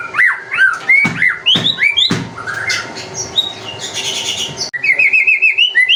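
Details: Lure song of a white-rumped shama, meant to set other birds singing: loud whistled slurs and sharp notes, a harsh rasping burst in the middle, then a quick series of bright repeated whistles.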